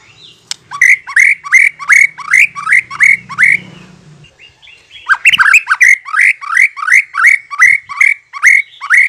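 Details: White-rumped shama lure song intended to make birds reply and sing fully: long runs of loud, rising, slightly harsh whistled notes about three per second, broken by a brief pause with low background hum.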